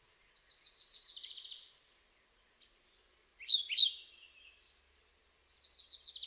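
A European pied flycatcher sings high, quick phrases of thin whistles and trills with short pauses.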